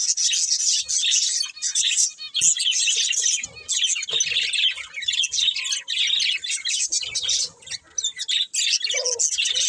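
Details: Steady warbled chatter from budgerigars, rapid scratchy twitters and clicks running almost without pause, with a short lower squawk near the end.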